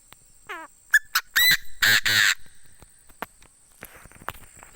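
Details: A decoy Chinese francolin gives its crow: a quavering falling trill, quick short notes, then three loud harsh drawn-out blasts, followed by faint clicks and rustles.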